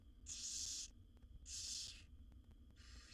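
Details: Barn owl nestlings, seven wild young in a nest box as their mother feeds them, give three hoarse, hissing screech-like rasps, the first two loud and long, the last fainter, over a low background hum.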